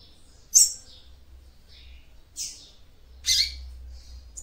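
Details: Female seedeater calling to stimulate a male: three short, sharp high chirps spaced about a second apart, with faint softer notes between and a low steady hum underneath.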